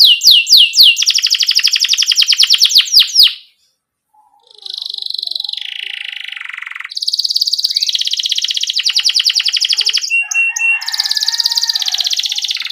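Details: Tutor song of a canary for young learners: a fast high trill, a short silent gap, a lower buzzy descending roll, then long rapid trills at two pitches.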